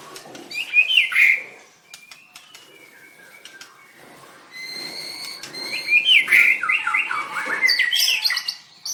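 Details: White-rumped shama singing at a bird singing contest on 7/25/16. The bird is dancing while singing. Loud whistled phrases and fluttering chirps come in two bursts, separated by a quieter stretch of thin, drawn-out whistles.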